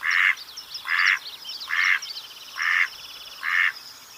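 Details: Loud, rasping quacks from a mallard duck, five evenly paced calls about one every 0.8 seconds, with faint high-pitched songbird twitters in the background.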